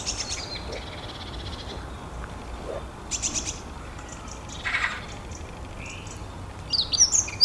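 Long-tailed tit giving thin, high calls and short buzzy trills in scattered bursts, with a louder burst of chatter at the end over faint background hiss.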